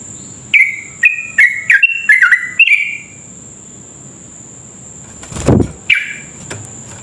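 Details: Sooty-headed bulbul in lively, long rapid rolling song used as a lure to make other bulbuls sing: a quick burst of about ten bright slurred notes, falling and rising, then a pause with a thud and two more notes; a steady thin high whine runs underneath.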